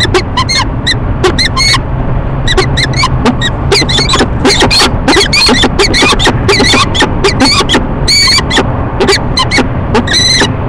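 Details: Courting peregrine falcon pair at a rooftop nest box in Rochester, New York, morning in March; bursts of harsh chupping calls in quick runs with short pauses, some drawn-out wailing notes, and a steady low hum behind.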